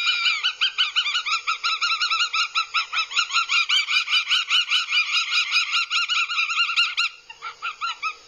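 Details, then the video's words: Northern goshawk chicks at a nest in Abernethy, Scotland, recorded by live camera in July 2022 while aggressive: a rapid series of harsh, nasal kek notes, roughly two to three per second, steady for seven seconds before trailing off. "CHICKS AGGRESSIVE. NORTHEN GOSHAWK"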